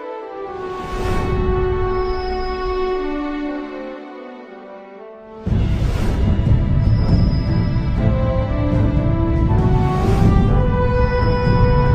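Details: Only dark, sustained instrumental music with swelling chords is heard; no animal calls.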